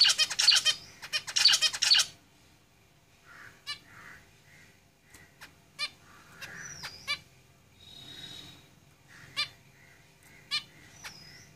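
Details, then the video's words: Several zebra finches in a cage open with two loud, buzzy rapid-fire song bursts, then give scattered short nasal calls, clicks and two downward-curling whistles over a quiet background. "Zebra Finches Singing in the cage"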